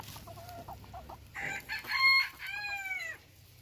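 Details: A bantam Phoenix rooster gives a single loud crow lasting nearly two seconds, harsh at first, then a clear held tone that slides downward at the end, after a few soft clucking notes.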